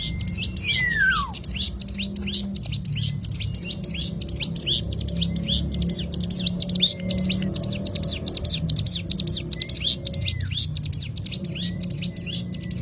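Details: Tutor recording of a cigun bird's 'ngebren' rapid-fire song: nonstop high, crisp chirps streaming for nearly thirteen seconds, broken by a few thin gliding whistles, over a low background hum.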